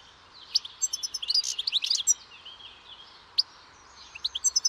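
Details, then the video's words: European goldfinch singing more softly: scattered tinkling notes and short twitters, a few sharp high chips, with faint background hiss between phrases. "O canto do PINTASSILGO/GOLDFINCH SONG (Carduelis carduelis)"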